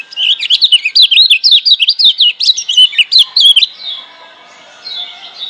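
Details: Wild Lemon-bellied white-eye from Lombok, Indonesia, used as a master song to stir quiet birds into singing: a fast run of high, bouncy, up-and-down whistled notes for about three and a half seconds, then softer twittering.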